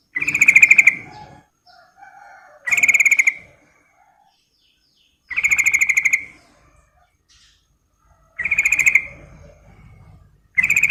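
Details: Calling female Sooty-headed bulbul, aimed at a male, producing a series of harsh, rapidly pulsed chattering bursts, each under a second, separated by pauses of about one to two seconds with soft murmurs between.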